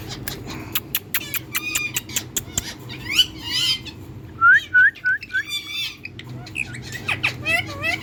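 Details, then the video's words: Tiger Indian parrot enjoying sunlight. Its varied calls mix short clicks, harmonic squawks and chatter, then a run of four rising whistled notes near the middle, followed by more scratchy chatter and bent whistles. "Tiger Indian Parrot Enjoying Sunlight Natural Talking Voice"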